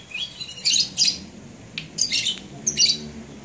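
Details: A labet in Banyuwangi, Indonesia, in January 2018 sings short, high, bright chattering phrases, about four bursts in three seconds, with quiet pauses between and faint indoor background.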